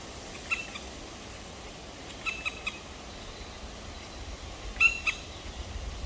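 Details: Two black woodpecker chicks in a nest, recorded 23 May 2023 at 19:43: a few short, harsh, nasal calls in small clusters, spaced by seconds of quiet background hiss.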